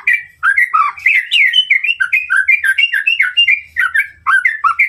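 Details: White-rumped shama singing to provoke a rival: dense, fast sequence of melodious whistled notes, many sliding up or down, repeated without pause in an energetic flowing stream.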